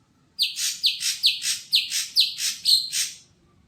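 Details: Greater green leafbird, an untrained cage bird tested at a bird kiosk, repeats seven sharp high chirps. Each note drops steeply, about two notes per second, with a quiet background.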